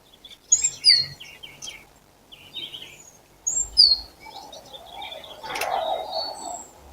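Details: April birdsong, clear high whistles and twittering phrases in two bursts, then a brief broadband clatter and faint background noise.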